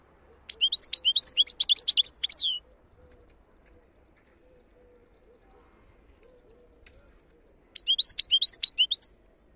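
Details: Wild European goldfinch (khalawi), Algeria: two bursts of quick, tinkling twittered song, the first two seconds long, the second after a long pause; a faint low hum runs beneath.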